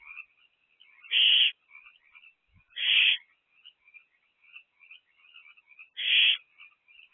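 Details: Owls in a nest box on the evening of 23 April 2024, between 7:54 and 8:06 pm, on a very active night: harsh, hissing screeches come every one and a half to three seconds, over a faint continuous high trilling chorus.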